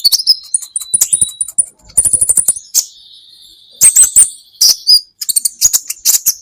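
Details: Song of a brown-throated sunbird (kolibri ninja), made as a training recording. It mixes high, ringing, whistled notes with rapid clusters of sharp chips, sustained thin tones, and loud, shrill twitters.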